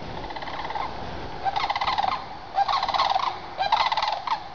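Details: Sandhill cranes flying overhead in a group at sunrise, leaving their overnight roost in the woods for fields where they feed all day. Three rolling, trumpeting rattles, each about a second long, rise above a background hiss.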